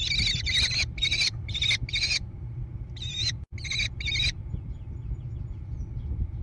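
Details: American kestrel chicks in a gravel-bottomed nest box on the side of a barn near Prairie du Chien, Wisconsin, USA, 14 June 2022: about eight harsh, rasping, buzzy bursts in quick succession, then a pause and three more, over a steady low hum.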